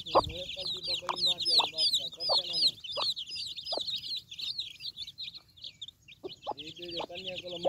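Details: While feeding her brood, a broody hen gives a series of quick, low, rhythmic clucks in bursts, over a continuous chorus of high-pitched chick peeping.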